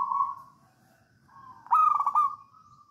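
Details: Local wild Javan zebra dove, perkutut lokal alam, singing in the songgo ratu style, used as a lure to get other doves singing: a soft cooing note, then a loud stuttering trill with a long even coo trailing after it.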